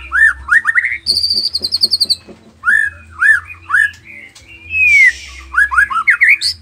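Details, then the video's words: White-rumped shama from Nias, noktah type, singing a rich lure song meant to provoke other shamas into answering: fast upslurred whistles in rapid runs, a stuttering series of high notes, a brief buzzy burst and a long descending whistle, with a low steady hum beneath. "Murai batu nias noktah gacor isian dengarkan suara ini 30 detik murai batu lain akan nyaut seketika"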